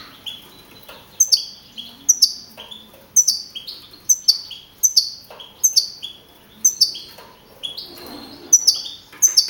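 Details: European goldfinch, a young male and contest champion of a campero singing competition held in Navalcarnero, Madrid, in April 2012. High, sharp chirps repeat roughly once per second in a steady, sparse series.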